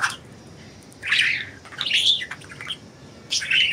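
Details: Budgerigars enjoying freedom, giving rasping, slurred chirps that rise and fall. Three main bursts, the middle one longer and warbling, over a quiet background.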